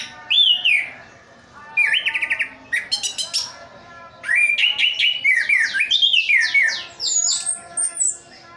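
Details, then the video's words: Kept Orange-headed thrush from Sidoarjo, East Java, delivering clear whistled phrases that slide up and down, then a quick run of repeated chips and a burst of mimicking warbles, with faint background music. "Anis kembang "Anti Gempa". Rooll full"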